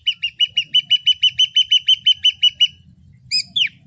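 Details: Ashy drongo singing its full natural range of variations: a fast series of about fifteen clear whistled notes, evenly spaced and steady in pitch, then a pause and two sharper, differently shaped notes.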